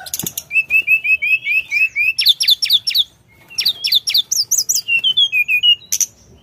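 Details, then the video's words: The Sunda forktail gives a steady string of rising whistles, about two per second, then sharp hooked notes, a pause, and more rapid, shrill phrases. "Tledekan Gacor Dorrrr"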